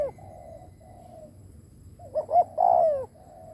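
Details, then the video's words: Decoy spotted dove cooing to attract other doves. Soft low coos come first, then two short sharp notes and one long, loud, falling coo. "Cu mồi đất gù kích bổi cực mạnh / Tiếng chim cu gáy kích bổi hiệu quả / cu gáy gù /Chim cu mồi gù"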